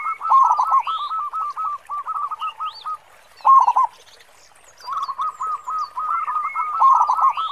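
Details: Zebra dove of a local strain with a big 'khong' voice, suited as a lure, sings long stuttering chains of rolling coos, broken by one loud burst, with scattered high rising whistles of other birds behind.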